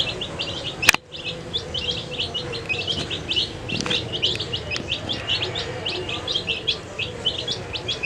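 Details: A group of colourful baby chicks at their food, chirping in high, clipped peeps in a busy chorus after a single loud knock at the start.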